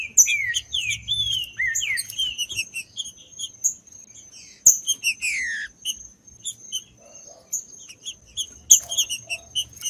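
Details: Green-winged saltator singing, used to stir other saltators into song: clear, slurred whistled notes falling in short phrases, repeated after gaps, over a constant thin high tone and scattered sharp clicks.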